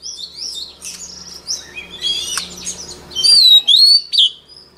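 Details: White-rumped shama song used for training birds' voices: soft warbled and chattering notes over a low hum, followed by bright, loud, slurred whistles rising and falling in quick succession.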